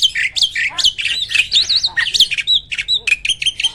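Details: Kept starling, described as a prize-winning contest bird with very loud rapid burst phrases, delivers a dense run of harsh squawks, rising-falling whistles and chattering notes packed with almost no pauses.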